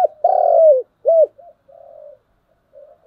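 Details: Spotted dove morning call: a long low sustained coo, a clear arched coo, then softer short and drawn-out murmuring notes.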